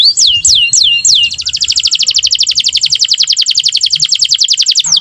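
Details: Canary song meant as a tutor and prompting song so young canaries learn to sing: four quick high swooping whistles, then a long, rapid, even trill of clipped notes that continues to the end.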